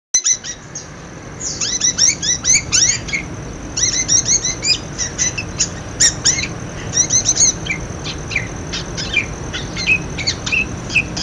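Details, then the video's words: Budgerigar calls played to prompt silent budgerigars to start calling: dense, rapid chirps and squeaky warbled notes in bursts, with short pauses between runs of chatter. "suara parkit buat pancingan parkit macet bunyi"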